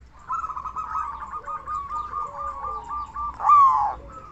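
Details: Local zebra dove, a strong loud caller used as a lure to make other zebra doves sing; soft rolling trill around one pitch, ending in a louder rising note, with a faint lower hum beneath.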